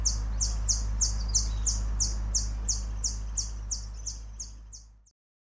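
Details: Temminck's sunbird in Sabah, Malaysia, recorded June 2023, giving a fast, even series of high, thin, slightly descending chirps, roughly three per second, about fifteen notes that fade out near the end, with a constant low background hum.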